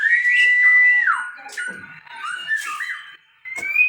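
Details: Captive-bred white-rumped shama giving a clear, level whistle that drops away, then fainter warbled and gliding notes, a short pause, and a closing upward whistle.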